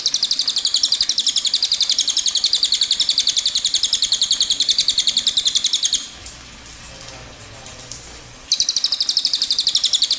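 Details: Rolling song of a cililin, sung at length: six seconds of rapid, high, rattling trill, a gap of two seconds with low background hum, then the same fast trill resumes.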